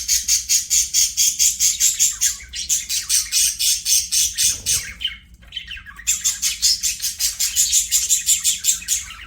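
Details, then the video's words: Budgies sing while playing: a fast, steady run of rasping high pulses, repeated several times a second in long unbroken trains, with one brief gap midway before the rapid chatter resumes. "BUDGIES SINGING PLAYING"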